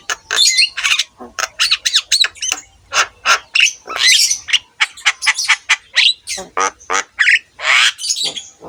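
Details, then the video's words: Javan myna training song, a continuous, loud stream of harsh squawks, clicks and rasps with scattered whistled slurs, notes tumbling out with little spacing. "KICAUAN BURUNG JALAK KEBO GACOR COCOK UNTUK MASTERAN SEMUA JENIS JALAK"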